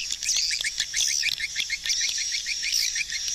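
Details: A flock of hundreds of swiftlets maneuvers near a swiftlet house, with fast repeated twittering chirps over a high buzzy chorus and scattered sharp clicks.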